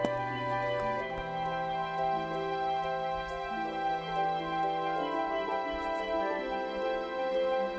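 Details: Soft, slow instrumental music with sustained tones plays throughout, and no animal calls can be picked out.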